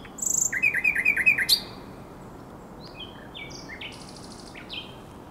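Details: Common nightingale singing at the Żerań Canal on 23–24 April 2022: a quick run of about nine loud repeated chirps, then a pause and scattered short rising whistles and buzzy notes against steady background hiss.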